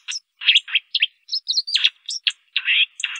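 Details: Short burst of White-throated dipper song, a rapid jumble of rasping buzzy notes and piercing high chips with a few slurred whistles; no background sounds.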